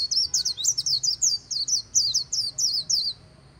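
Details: 'Líu' song of a white-eye at the Kỳ Cùng riverside: about a dozen sharp, high, twisting chirps in rapid sequence, then a sudden stop into quiet.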